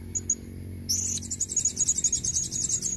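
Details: Lure calling by a female blue-crowned hanging parrot to attract red-necked males: two tiny high peeps, then a fast, continuous shrill twittering trill of rapid squeaky notes.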